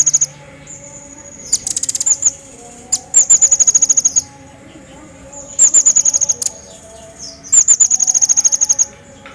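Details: Actively singing Crecet jawa, a recording meant for training songbirds: four bursts of rapid, piercing high-pitched trilled notes, each lasting about a second and spaced by short pauses, with a soft background hum throughout.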